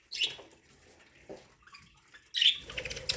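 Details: Budgerigars eating corn give a chirp, then a quiet pause with soft sounds, then a louder burst of raspy chatter over rustling.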